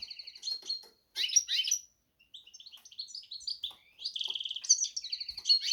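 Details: Goldfinch and canary cross delivering bursts of warbling song: twittered phrases broken by short silences, then a softer series of chips and a renewed rush of trilled, ringing notes.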